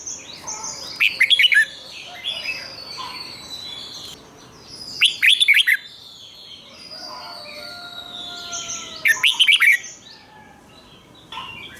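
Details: Doubled 'rik' song of a red-whiskered bulbul kept in a cage, played for young birds to learn: three loud warbled phrases about four seconds apart over steady faint whistling from other birds.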